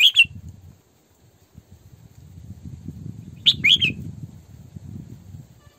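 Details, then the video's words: Female Red-whiskered bulbul used as a decoy, giving two short bursts of sweet, slurred whistles about three seconds apart over a steady low rumble of background noise. "Tiếng Chim Chào Mào Mồi Hót Sổ Bọng Căng"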